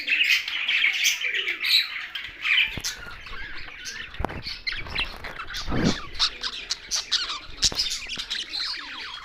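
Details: Budgerigars housed with parrots in Larkana, Sindh; busy twittering chatter, loudest at the start, broken by sharp clicks and a brief low rustle midway, with many birds calling at once.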